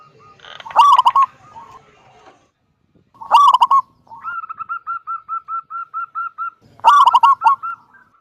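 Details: A big-voiced local zebra dove singing the 'kung' song to lure other doves: three loud, rattling bursts of clustered notes spaced a few seconds apart, with an even run of about twelve clear hooked notes between them.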